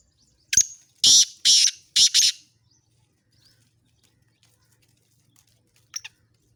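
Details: Black francolin of the Sindhi type giving a spirited call: a brief clipped note, then four rasping, scratchy bursts delivered rapidly. Silence follows, broken only by a faint distant chirp near the end.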